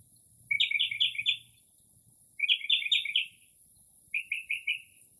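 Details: A Northern mockingbird singing late at night in early spring mimics other birds' calls. Rapid chattering trills of four or five buzzy notes, given three times about 1.5 seconds apart, the last phrase softer. A faint steady high hiss continues throughout.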